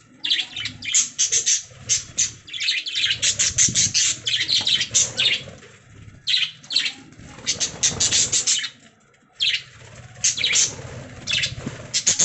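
Budgerigars chatter in quick, bright bursts of high chirps and warbling twitters, with brief pauses between.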